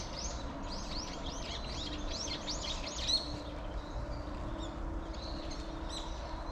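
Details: In a persimmon tree, chubby tree sparrows chirp in a fast string of arched, bouncing notes during the first three seconds, then softer scattered calls over a low hum.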